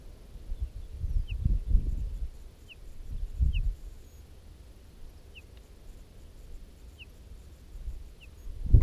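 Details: A whinchat at its nest, filmed in June, gives a soft, thin, falling whistled note every second or two, faint against low wind rumble.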